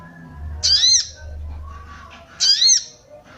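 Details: Female sooty-headed bulbul 'cuit cuit' call meant to arouse males: two loud rasping, arched squawks about two seconds apart, with a soft low hum and a faint whistle between.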